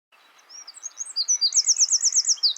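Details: Eurasian wren singing unseen from a hedge beside a shaded wooded footpath in the West Sussex countryside: faint high notes build into a loud, very high, rapid trill of evenly repeated sharp notes that keeps going to the end.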